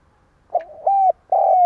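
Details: Stuttering coo of a decoy spotted dove, sung to draw wild doves. A brief hiccup note is followed by a smooth sustained hollow coo. A second long coo is cut off at the end.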